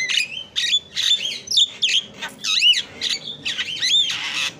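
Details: Javan myna (jalak kebo) in energetic song for a training recording: harsh squawks alternate with looping, rising and falling whistled notes in quick, irregular succession.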